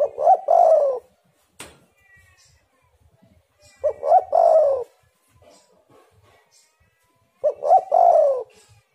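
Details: Three coo phrases from a spotted dove, tekukur or derkuku, played as a lure to set doves singing: short notes followed by a long falling coo, repeated about every 3.7 seconds, with a sharp click early on.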